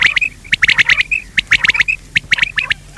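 Quail calling in quick, sharp, high-pitched clipped notes, several per second, with brief whistled tones mixed in; no other sounds stand out.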